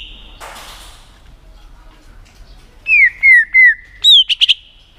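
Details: White-rumped shama, a tail-flicking bird singing to excite another shama for song contests: after a muffled rustle, a series of three falling whistled notes, then a rising whistle and quick chirps.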